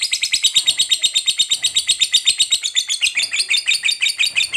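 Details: Fighter lovebird giving its long trill, known locally as "ngekek panjang", used to provoke other lovebirds: an unbroken, shrill, rapid chattering of high notes at nearly three per second, held steady throughout.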